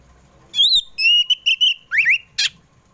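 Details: Oriental magpie-robin (kacer poci) in the afternoon, song meant to prompt household pet birds to sing: clear whistled notes, a long steady whistle, a swooping double slur and a closing harsh burst.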